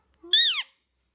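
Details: Pet ring-necked parrot, almost five years old, talking in a quiet room after nearby Russian speech: one short, nasal, word-like syllable that rises and then slides down, under half a second long.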